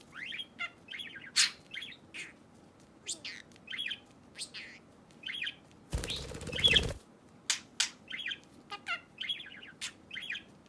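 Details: Budgerigar kept as a pet, chattering to help find a lost bird: steady stream of sharp chirps and buzzy warbled notes, with one loud burst of flapping wings midway.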